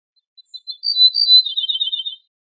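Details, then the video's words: Ortolan bunting, al-bouh al-fassi in Moroccan usage, singing on a compiled wild-bird song tape: a few soft lead-in notes, then clear high whistles that drop into a rapid lower trilling run, with no other sounds. "شريط تغريد طائر البوح الفاسى"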